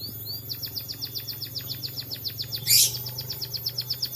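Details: Singing munia with canary-imitation material: an unbroken train of thin, sharp, high notes repeated about five times a second, interrupted once by a brief noisy rush, over a steady low hum.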